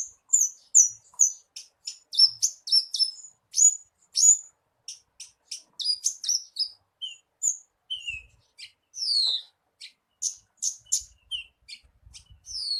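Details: Horsfield's bush lark lure song aimed at making a captive bird sing: rapid high chattering notes, later mixed with slower downslurred whistles and a few faint low knocks.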